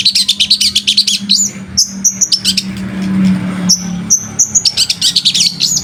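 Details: Long-tailed shrike singing as a master for other birds, rapid chattering chirps, then spaced clear whistled notes, a low hum rising in the middle, and a final burst of chatter.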